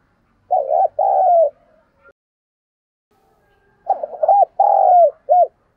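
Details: Decoy spotted dove, thổ voice style, calling to stir up wild doves: low mellow coos in two phrases, the second one longer with an extra rolling note, a long falling coo and a short closing coo.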